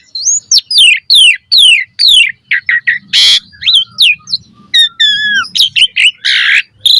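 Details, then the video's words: Repeated falling whistled slurs about twice a second open this Asian pied starling mompa song, followed by short squeaks, a loud harsh rasp, level whistles and more rasping bursts. "Pancingan Jalak Suren Gacor Cepat MOMPA Full Variasi - Masteran Burung Jalak Agar Gacor Isian Mewah"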